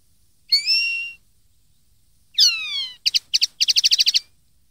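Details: A 2013 tutoring recording for young linnets: linnet song with a held, rising whistle, a falling whistle, then paired chirps leading into a quick trill of doubled notes.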